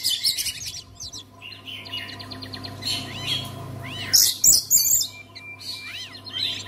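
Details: Oriental magpie-robin song for stirring other magpie-robins to sing: varied whistles, buzzy trills and arching slurred notes, with a loud burst of sharp high notes near the end, over a low hum.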